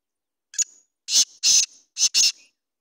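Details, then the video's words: Black francolin (kala teetar) calling: a short sharp note, then four loud harsh grating syllables in two pairs, the whole phrase lasting about two seconds against a silent background. "Kala teetar ki awaz"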